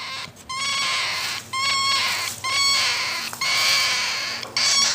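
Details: A young cockatiel, hungry and being fed, gives harsh, raspy begging calls, each about a second long and repeated roughly once a second, with no other sounds.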